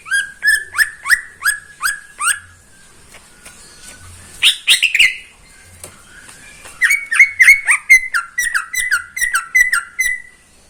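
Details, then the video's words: Caged greater green leafbird that sings every morning: strings of loud, downslurred whistled notes, about three per second, with a brief chattering burst between the series. "Kicauan cucak ijo di pagi hari"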